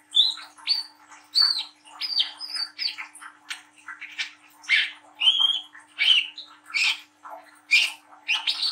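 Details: Young, speckled Brown-throated sunbird singing an energetic series of sharp high chips, whistled slurs and scratchy notes, delivered in quick irregular bursts throughout, with a faint steady hum in the background.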